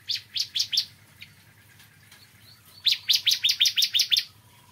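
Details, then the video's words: Bar-winged prinia (ciblek kristal) singing in the morning: a short burst of four sharp high chirps, a pause, then a faster run of about ten bright, evenly spaced chirping notes. "Kicauan Ciblek Kristal Dipagi Hari"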